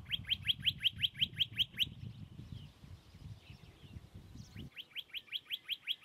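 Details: Western rock nuthatch, one of a pair nesting on crags above Agios Germanos on the Greek side of Prespa, Greece, filmed from a distance through a telescope with an iPhone digiscope attachment. Rapid runs of sharp upslurred chirps, a brief pause, then the series resumes over a low rumble.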